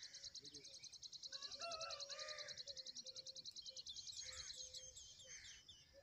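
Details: Baby tailorbird giving rapid, high, even chips in a long fast run, about three a second, with a few lower chirps and faint bird calls behind.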